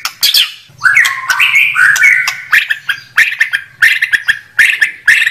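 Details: White-rumped shama song: slurred whistles and bursts of chatter with a faint low hum underneath.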